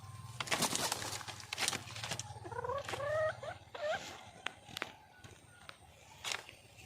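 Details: Red junglefowl hen calling for a male: a few short, wavering, rising whines in the middle. Before them come loud rustling, crackling noise and a low hum, and sporadic clicks come after.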